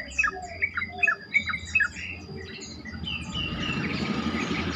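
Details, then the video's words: Yellow-vented bulbul, a lure recording for making other bulbuls sing: several loud, liquid chirped phrases in the first two seconds, then softer notes fading into broadband hiss. "pancingan trucukan terkomplit sangat bagus untuk membuat trucukan lain lebih gacor"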